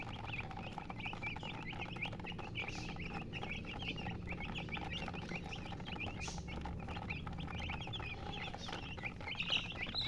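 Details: Many chickens keep up a thick, continuous chatter of high, short peeps, with a few sharp clicks and knocks and a low rumble beneath; these are colored hens.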